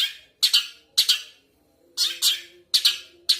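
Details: Long-tailed shrike uttering rasping, nasal double-noted squawks, pairs of grating bursts repeated roughly every half second to second, with a faint low hum behind.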